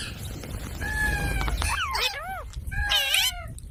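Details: Parrot making a steady whistled tone, then wavering, looping harmonic calls that bend up and down, over a continuous low background rumble.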